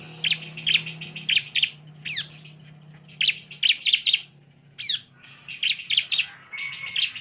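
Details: Bar-winged prinia lure song meant to spur other birds to sing aggressively: clusters of sharp high chirps mixed with steep downslurred whistles, over a low background hum.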